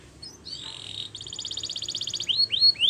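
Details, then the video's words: Belgian canary, song for training young canaries: a short whistled note, a rapid buzzy high trill, then three rising sweeping whistles growing louder. "Canary Singing Training !! Belgian Canary"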